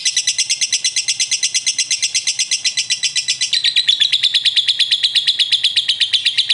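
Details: Young prospect lovebird joining in and answering another lovebird with a long 'ngekek' song: a fast, steady chatter of high, sharp, buzzy notes, several per second, unbroken for the whole stretch, stepping slightly lower in pitch about halfway through.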